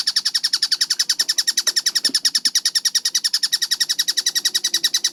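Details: Kingfisher, locally tengkek buto, recorded clear and fast as training material. Sharp, raspy notes are delivered in an even stream of about three and a half per second, with faint low knocks in the background.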